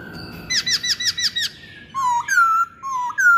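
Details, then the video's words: Masked laughingthrush: a series of six rapid, ringing, downward-curving notes with rich harmonics, followed by several clear, drawn-out whistles that shift between lower and higher pitch. "Kicauan Poksay Hongkong"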